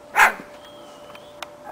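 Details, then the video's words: Pet cockatoo, a female, gives a single short, harsh bark, a convincing copy of a dog's woof, followed by faint clicks and a steady background hum. "Bird barks like a dog."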